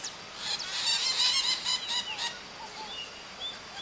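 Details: Pionus parrot, called maritaca, uttering a quick run of raspy, squawking notes that fade into a few scattered softer whistled calls, with other faint birds in the background.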